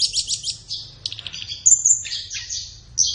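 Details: Captive-bird training song of a flowerpecker, meant for morning or afternoon sessions: rapid high trills and buzzy chatter, then a piercing sustained whistle and a scratchy twittering run.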